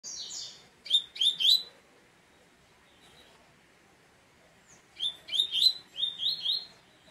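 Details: A double-collared seedeater gives two bursts of sharp, bright, quickly repeated chirping notes, the second phrase longer and run together, separated by a few seconds of quiet.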